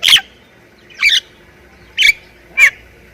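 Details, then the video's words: Jalak kebo, the Javan myna, of Thai origin, giving four separate short, harsh squawking notes spaced roughly a second apart against quiet background. "Jalak Kebo Thailand Gacor Full Isian"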